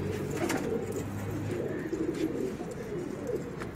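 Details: Racing pigeons with children; brief low rolling coos from several birds over a soft background hum and a few light taps.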